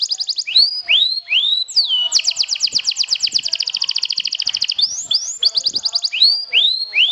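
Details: Kenari sobek trilling to stir up opponents: rising swept whistles, then a long rapid rolling trill of about three seconds, then more rising whistles.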